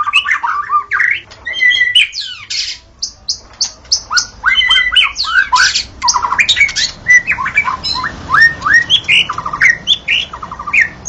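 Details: Wild white-rumped shama in lively full song in the forest, pouring out rapid, rich whistled phrases, upslurred notes, quick trills and crisp chips in a varied run with only brief breaks.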